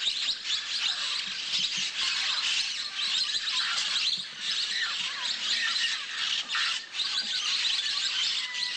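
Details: Wild Orange-cheeked parrots assembling above a clay lick in Manu, Peru, in the early morning; a dense, continuous chorus of overlapping shrill squawks and chattering notes from many birds, with no pauses.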